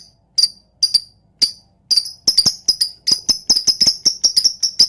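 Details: Captive lovebird calls used to provoke other lovebirds into singing: sharp, high chirps, sparse at first, then coming in quicker bursts with brief pauses between them.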